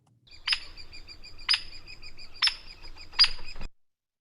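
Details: Hairy Woodpecker (Dryobates villosus) giving four sharp, high "peek" call notes about a second apart, higher and sharper than a Downy's "pick", with faint rapid high twittering underneath.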